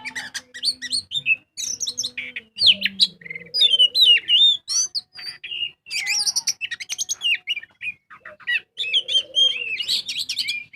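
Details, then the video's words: Oriental magpie-robin (kacer) singing in the vigorous 'gacor full ngobra' style, used as a lure to prompt other birds to sing: a rich, fast medley of clear whistles, sweeps and chattering notes, with brief pauses between phrases. "Pancingan burung kacer gacor full ngobra"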